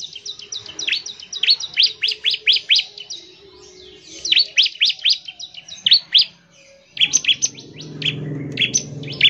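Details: Bar-winged prinia singing loudly to call other prinias and get them singing. Fast series of piercing upslurred chirps come in uneven bursts, and a rougher, noisier background sets in during the last seconds.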